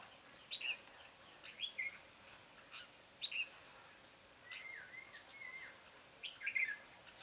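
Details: Red-whiskered bulbul recorded during bird trapping on 14 July 2016: short bright chirping phrases, rising and falling notes repeated about once a second, over a steady faint background hiss.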